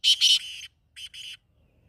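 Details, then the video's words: Black francolin (kala teetar) calling close and loud: two harsh, scratchy notes in rapid succession, then a softer pair of rasping notes after a short pause, with a clean, quiet background. "kala teetar awaz( 2021)black francolin voice"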